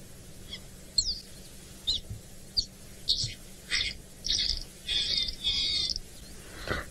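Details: Lesser striped swallow call, played back near Chitwa Dam, Djuma Game Reserve, on 27 August 2017: a series of high, nasal, buzzy notes that lengthen as they go, about eight in seven seconds, over a faint low hum.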